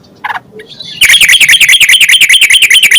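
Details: Yellow-vented bulbul singing, meant to prompt other bulbuls to sing: after a brief soft call and a pause, a steady fast series of bright, chirping double notes continues to the end.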